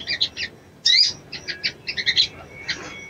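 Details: A female crimson sunbird calls to arouse a male, giving short clusters of high, buzzy chirps, one louder sweeping note near the first second, then several quick stuttering bursts.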